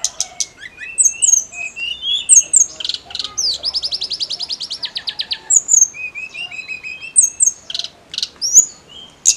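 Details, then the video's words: High-pitched snowy-browed flycatcher song for stimulating other songbirds such as magpie robins: scattered whistled slurs, then a long steady buzzy rattle of rapid notes, then more short thin phrases. "KICAU TLEDEKAN GUNUNG GACOR"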